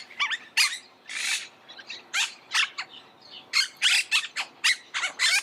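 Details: Monk parakeet calls: scattered sharp screeches and buzzy notes, sparse at first then a faster run of harsh squawks in the second half.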